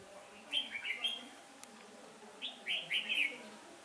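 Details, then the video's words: Red-whiskered bulbul decoy used for trapping on a windy day, 15 October 2017: two bursts of quick, bright warbling phrases about two seconds apart, each a tight cluster of rolling whistled notes, with quiet between. "Bẫy chào mào"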